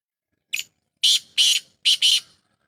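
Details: Black francolin from Sindh calling: a short faint note, then two paired harsh, buzzy bursts, each pair about a second long, with short gaps between them.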